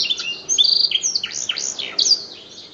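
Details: Canary that won a singing competition, trained to imitate black-throat song: very high, fast chattering twitters and short descending slurs tumbling together in a dense, continuous run.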